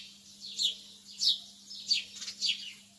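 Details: Softer early-morning lovebird chirps, high and sliding downward, about four in three seconds over a steady low electrical hum.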